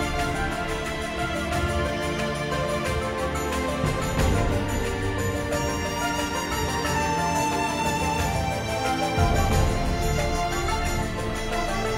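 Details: Dense instrumental music plays throughout, with steady low beats and sustained tones and no animal calls audible.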